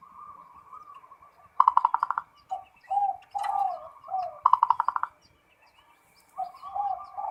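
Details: Local zebra dove singing full ngerot style to stimulate breeding arousal: gentle wavering coos punctuated by two loud rapid stuttered bursts about three seconds apart.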